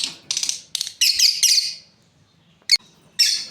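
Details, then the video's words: Lovebird breeding pair uttering a few shrill, grating chirps in a tight run, then a pause broken by a short sharp note and another harsh burst. "Beautiful lovebirds chirping sounds"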